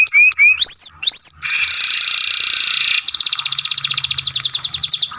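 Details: Young canary in masteran song training gives a few rising whistled notes and sweeps, then a long harsh grumbling buzz, then a fast, even, pulsing trill.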